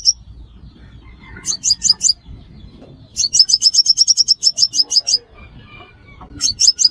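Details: Five-coloured sunbird, as named locally, recorded as a trapping lure: short clusters of piercing high chips, including one long even run of about fifteen notes, separated by quiet gaps with faint distant chirping.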